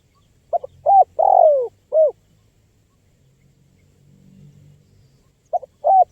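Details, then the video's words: Spotted dove calling actively, recorded for luring wild birds: a phrase of short cooing notes with one long, downward-slurred middle coo, then a quiet pause and the start of another phrase near the end. "SUARA LANGKA BURUNG TEKUKUR GACOR"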